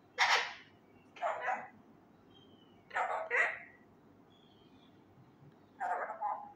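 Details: Young male Indian ringneck parakeet kept as a pet, trying loudly to learn Urdu phrases: four raspy, word-like bursts, some with two syllables, spaced a second or more apart.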